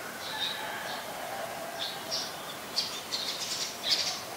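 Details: Afternoon at a house, 25 February 2022: an olive-backed sunbird gives sharp, high-pitched chips in short uneven bursts, some louder near the end, over a low constant background noise.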